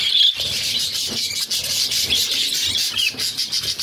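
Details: Budgerigar chicks being fed by their mother, six in the nest; a loud squeal opens, then shrill raspy begging continues in quick stuttering pulses.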